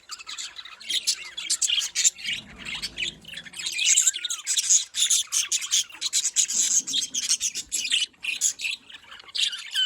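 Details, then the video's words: Bred budgerigars in Larkana, Sindh, chattering continuously: high raspy warbles, squawks and chirps overlapping through the whole stretch, with faint low rumbling in the background. "Parrot talking sounds || parrot calling sound"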